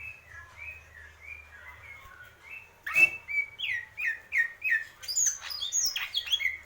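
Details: Greater green leafbird singing: soft descending whistled slurs at first, then a louder burst of fast, varied slurred notes and high chirps, over a low steady hum.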